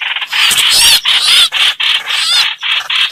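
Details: Streak-eared bulbul in a recording used as a lure for trapping birds: dense, squeaky chattering notes with sweeping whistled slurs, in bursts with short breaks and some low rustling beneath.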